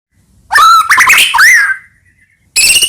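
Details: White-rumped shama song used as a lure to provoke other shamas into singing: loud whistled phrases with sliding notes and harsh buzzy bursts, separated by short silences.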